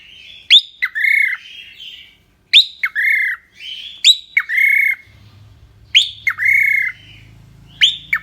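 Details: Cockatiel, a pet bird, singing repeated phrases, each a sharp upward whistle followed by a sustained buzzy note, about five phrases with pauses, a low hum joining later; a woman then talks to the bird.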